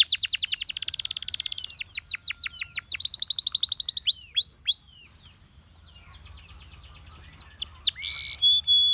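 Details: Russian singing canary pouring out song to draw other canaries: fast rolling trill, then slower descending slurred notes and looping whistles, a brief quiet gap, and softer chirps ending in a steady high tone.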